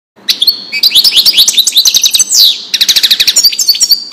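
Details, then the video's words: European goldfinch singing in the Wedani style, recorded for tutoring young goldfinches: a fast, continuous run of bright twittering notes and short rising whistles, ending in rapid repeated metallic chips. "تغريد الحسون لتسميع الفراخ"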